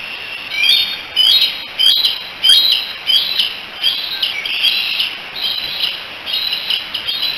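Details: Three young bald eagles on the Decorah eagle cam, July 16, 2018, chatting together and probably calling for their mother: high, thin chirps and squeaky whistles repeated in quick bursts about every half second to second.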